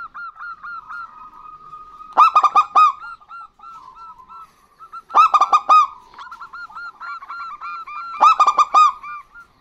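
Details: Local zebra dove pair, male and female answering each other: loud bursts of rapid, rich cooing notes about every three seconds, with a steady run of short, clipped coos in between.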